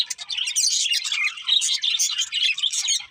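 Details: Happy budgerigars chattering as they eat, a busy flow of quick high chirps and scratchy twitters in short bursts about once a second, several birds overlapping.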